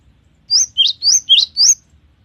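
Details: Cinereous tit singing, its song described as varied and long: five loud, clear whistled notes, each sweeping steeply upward, alternating between two pitches at a steady quick pace, with nothing else audible.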